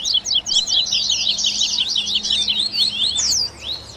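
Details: Dense, almost continuous high twittering from Double-collared seedeater in a 'baderninha' warm-up recording for captive birds; packed rapid chirps and trills run for over three seconds before tapering into a few slurred notes.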